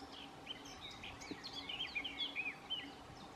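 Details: Male Eurasian blackcap (Sylvia atricapilla) singing on 11 March 2019, a fast warbling phrase of varied notes rising to clearer whistles, against a steady low hum of background noise.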